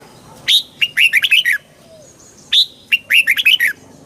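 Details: Red-whiskered bulbul song played to excite the bird: two loud bursts of bright, warbled whistled notes, each opening with a high swooping note and followed by quick rolling phrases, about two seconds apart.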